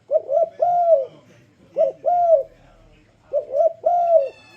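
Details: Spotted dove giving a luring song meant to prompt other doves to sing along: three hoarse arched coo phrases, each a short double note then a longer drawn-out coo, spaced about every one and a half seconds.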